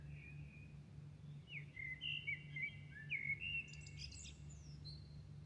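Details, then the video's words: Bird singing in Milan at night toward dawn: a varied run of clear whistled and slurred phrases at mid pitch, with brief high thin notes near the end, over a steady low urban hum. "Singing night Milano birds at dawn"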